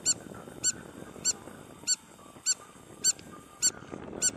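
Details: Spur-winged lapwing on a hotel beach in Marsa Alam, Egypt, giving a steady series of shrill, clipped metallic calls roughly every 0.6 seconds, eight in all, against faint ambient noise.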